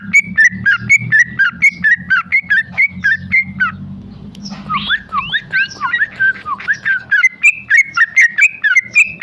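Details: Tame male sooty-headed bulbul in 'ropel' song: a fast, regular train of short bright whistles, a brief softer, more varied jumble of notes midway, then the quick repeated whistles return.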